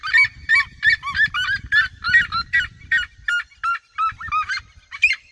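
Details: A band of red-legged seriemas singing in the fields surrounding the recordist: shrill, clipped yelps repeated quickly, slowing toward the end, with some low wind rumble.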